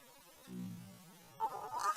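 An American crow makes a low, buzzy, droning grunt, then a brief harsh, raspy burst, an odd sound unlike its usual caw.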